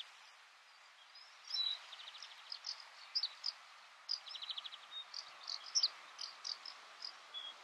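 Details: White wagtail (Motacilla alba alba) recorded in June 2017 in Soomaa National Park, Estonia: sharp, high twittering notes in quick irregular bursts with two brief buzzy rattles, over a faint steady background hiss.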